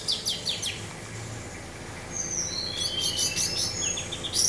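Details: Orange-headed thrush, 'teler' singing style, recorded with wind sound: a few quick high notes open, then after a short pause a dense stretch of bright whistles and fast stuttering chips, with steady low noise beneath.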